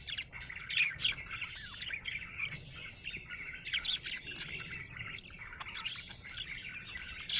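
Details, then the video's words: Contented budgerigar giving a lively, almost unbroken warble of scratchy chirps, clicks and thin whistles, with louder bursts scattered through it. "Happy budgie chirping sound"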